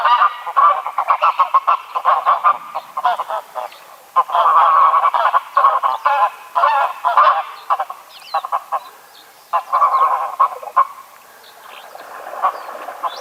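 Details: Greylag goose calls in a busy chorus of clipped nasal honks and cackles, coming in clustered bursts with quieter pauses between them.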